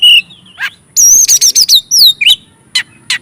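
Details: Lively Oriental magpie-robin song meant to stir up rival magpie-robins: a clear high whistle opens, a rough note follows, then a dense run of sweeping whistles ending with a few sharp isolated notes.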